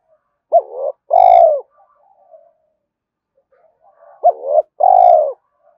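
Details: Spotted dove cooing in urging and calling style to bring in wild rivals: two matching low phrases about four seconds apart, each a quick quavering note then a long, rich, gently falling coo; faint murmurs between.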